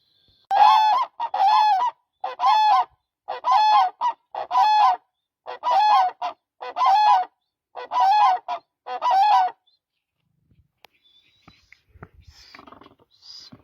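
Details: Demoiselle crane (Grus virgo) gives loud, nasal trumpeting calls in doubled bursts, about one per second for nine seconds, then quiet with faint rustling.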